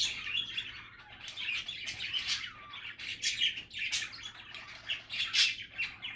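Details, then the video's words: Budgerigars chattering happily: soft continuous warbling with rising whistled notes and louder raspy chirps at intervals, somewhat quieter overall, low hum behind. "Happy and relaxing budgie chatter"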